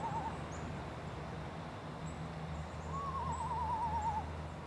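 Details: A small screech owl, wingspan about 15 inches, camouflaged in a tree, gives a brief tone, then a quavering whinny that wavers and slides slightly downward over about a second; a low steady hum runs underneath.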